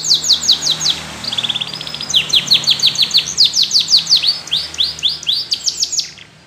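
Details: Yellow canary song for stimulating fellow canaries to sing: series of sharp downslurred whistles about three per second, a brief low buzzy roll, then layered rapid falling notes fading out at the end.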